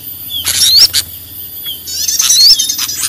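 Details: Sparse lure call for small birds: two bursts of high twittering, each ending in a sharp rising whistle, separated by a quiet gap with a faint low hum underneath.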